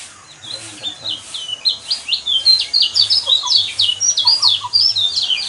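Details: Yellow white-eye twittering used as a provoking song for caged birds: a string of high, clipped, rising and falling chips that grows louder, with a faint low hum underneath.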